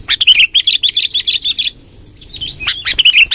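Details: Sooty-headed bulbul in lively long rolling song, played to gather wild bulbuls: a rapid run of bubbly, warbled chirps repeated several times a second, a brief pause, then more chirping phrases, with a steady high hiss underneath.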